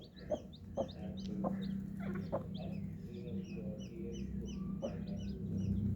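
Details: A group of coloured chicks peeping busily, many high, quick downward chirps overlapping, with a few taps near the start and a steady low buzz in the background.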